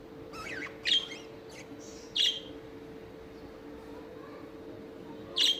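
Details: A pair of budgerigars (Melopsittacus undulatus), described as a happy couple, give a few short, bright, scratchy chirps over a steady low mechanical hum.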